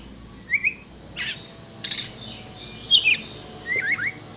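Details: Oriental magpie-robin, a contest-ready bird, giving a few short whistled and chirped phrases spaced about a second apart over a hissy background.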